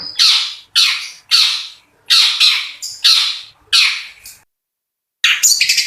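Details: Long-tailed shrike giving kasaran, rough harsh notes: loud grating squawks repeated about every 0.8 seconds, a pause, then a final burst of scratchy notes.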